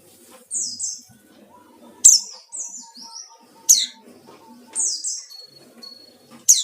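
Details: White-eye song of the 'ngalas' type, used as a lure for rivals: sharp high downslurred notes spaced one to two seconds apart, softer trilled phrases between, over a faint low hum.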